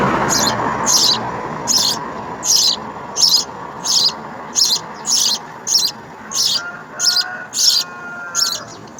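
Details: Begging of house sparrow babies in the nest during an insect feeding: a steady run of short, harsh, high-pitched rasps repeated roughly every 0.7 seconds for the whole stretch.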